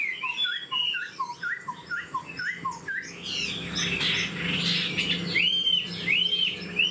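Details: Caged old wild-caught Chinese hwamei repeating a short up-slurred whistle about every half second, then a burst of harsh, noisy notes and a few loud rising-falling whistles.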